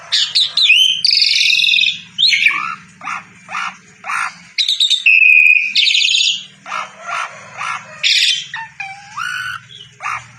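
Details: Asian pied starling singing actively, a varied string of squawks, chirps and short whistled phrases, about two a second with brief gaps, over a low hum.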